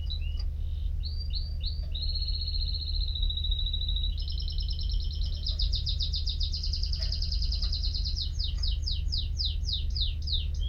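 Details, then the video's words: Canary song built from varied phrases: short whistled notes, then a steady rapid trill, a higher fast rolling trill, and finally quick descending sweeps, all over a constant low hum. "تغريد طائر الكناري ...Nicest twitter canary"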